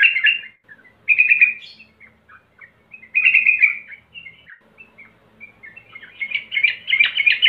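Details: Sooty-headed bulbul song meant to get birds singing: separate loud warbled phrases near the start, at one second and at three seconds, with scattered chirps between and a dense chattering run toward the end.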